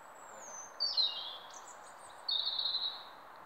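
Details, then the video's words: Bird singing at daybreak: a thin high whistle slides downward, then a short slurred whistled phrase near one second and a longer warbled, buzzy phrase around two and a half seconds, over soft steady background hiss. "Bird song"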